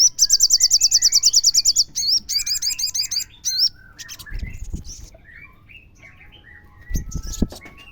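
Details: Singing crimson sunbird used as a lure to draw song from other sunbirds: a long, even, very high rattling trill of nearly twenty notes, then shorter looping buzzy phrases and soft twitters, with brief knocks near the end.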